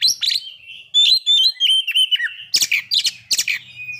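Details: White-rumped shama song intended to provoke breeding condition and aggression: thin level whistled notes followed by loud, harsh broadband bursts repeated about three times a second.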